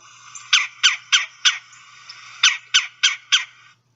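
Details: Red-bellied woodpecker repeated chug call from a North American field-guide recording; two runs of four short, harsh, evenly spaced chug notes about three per second, separated by a brief pause.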